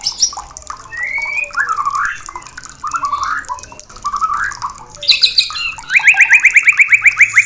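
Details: White-rumped shama song used to spur breeding and mating: three looping whistled phrases with pauses, a brief high twitter, then a quick, even series of about a dozen repeated sharp notes.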